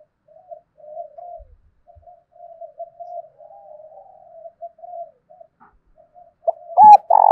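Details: Spotted dove in the 'thổ sấm' voice, used to provoke wild doves and decoys: a long train of soft low coos, then loud clipped bursts at the close.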